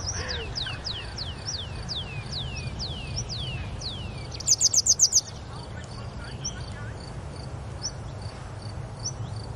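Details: Grey wagtail at Oukaimeden near Marrakech, Morocco: a run of about ten thin, high, down-slurred whistles over four seconds, then a quick burst of sharp ticking notes, over steady low background noise.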